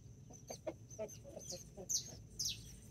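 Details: Backyard hens with their nine mini and Brahma chicks in Colombia on 24 October 2024. A run of soft low clucks is followed by two loud shrill chick peeps.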